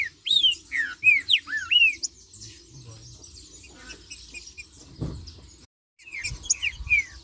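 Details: A green-winged saltator (Saltator similis) sings a quick run of rich, slurred whistles that swoop down and up, pauses, then resumes with another short phrase; a soft thump sounds in between.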